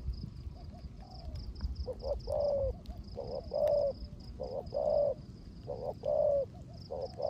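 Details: A decoy spotted dove coos in 'rước gù' style in rain; the clip opens with soft notes, then loud low paired coos follow, each short note trailed by a sustained one, over faint high ticking.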